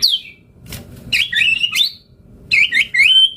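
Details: White-rumped shama singing a lure phrase to draw a reply from other birds: a falling high whistle, then fast twisting whistled notes, a pause, and a second burst of tumbling, ringing phrases.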